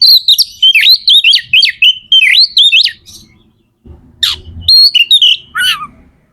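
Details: Captive magpie-robin (kacer) song played to rouse other birds into singing: fast string of loud whistled warbling notes, a brief silence, then a harsh downslurred burst and more whistles over a low hum.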